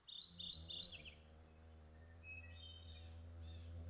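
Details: A Mourning Warbler sings in spring, a quick rolling burst of chirry notes lasting about a second, then faint high notes, over a steady high insect drone and low rumble.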